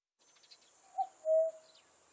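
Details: Common cuckoo recorded in 2020 for Korea's National Institute of Biological Resources: a single soft two-note cu-coo, a short higher note followed by a longer, lower, steady hoot, over a faint high hiss.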